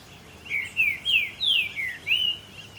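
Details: A green-winged saltator singing in ambient sound at Puerto Iguazú, Argentina: a quick phrase of about six clear whistled notes, mostly downslurred, ending on a rising whistle, over a faint background hiss.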